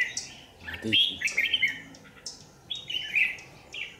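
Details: Red-whiskered bulbul used as a lure bird at a trap by power lines, recorded 27 January 2019; short warbled, slurred phrases at mid-high pitch in bursts, with a brief low voice murmur near the start.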